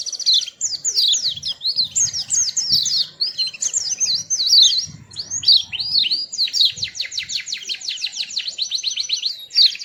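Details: Sweet-voiced small white-eye in steady high twittering, bursts of slurred chirps followed by a long rapid trill of evenly repeated notes, with faint low knocks beneath.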